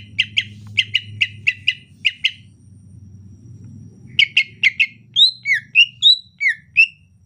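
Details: In rainy-season 'ocehan lemas' style, a greater green leafbird rattles off bursts of quick paired chips, pauses, then shifts into a run of sweet whistled notes that swoop up and down.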